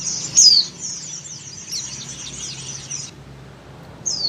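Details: Breeding female Oriental white-eye calling the male: one sharp high descending whistle, a stretch of thin chattering twitter, then a brief final whistle.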